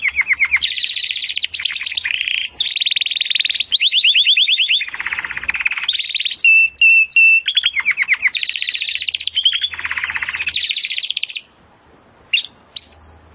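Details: Timbrado canary training song: a long chain of varied rolling trills, some high, some low and rattling, with brief whistled notes, ending in near silence with two short chirps.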